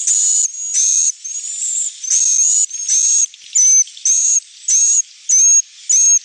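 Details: Edible-nest swiftlet lure call for evening roosting: rhythmic high buzzy chirps repeated about every half second, each with a thin descending whistled trace beneath, in clean, quiet pauses between bursts.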